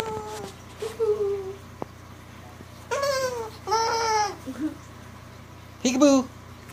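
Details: Playful pet cockatoo barking, laughing and teasing: soft wavering hoots and short notes, then three loud harsh nasal squawks spaced about a second apart, the last sharp and bark-like, over a low background hum.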